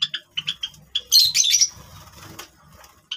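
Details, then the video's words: Java sparrows playing with grass give short, high chipping notes several times a second, then a brief burst of harsher, squeaky chatter before a final chip. "java birds | java sparrows | java finches | birds voice"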